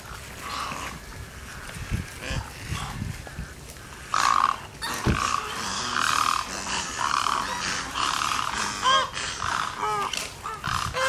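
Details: Several egrets at a watering hole in J.N. "Ding" Darling National Wildlife Refuge during morning feeding, with a dense chorus of rough, grating squawks and short thin whistled notes from other birds near the end.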